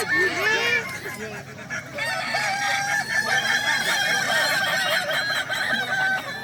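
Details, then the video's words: Kukuak Balenggek roosters at a crowing contest in Danau Bawah on Sunday, 6 October 2024: a loud, long rooster crow of rising and falling, stepped, wavering notes over a dense chorus of other crowing cocks and crowd noise. "Lomba ayam kukuak balenggek danau bawah minggu tgl. 6 okt 2024"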